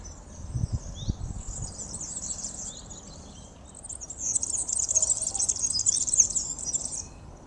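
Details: A male European serin (Serinus serinus) sings a very high, fast, sizzling jingle of tinkling notes rising to a dense burst, with a few low wind thumps near the start.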